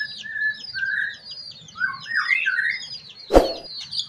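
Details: Ashy drongo singing in the morning, used to prompt other birds to sing: clear rising and level whistled phrases over a background of high chirps, with one sharp loud click near the end.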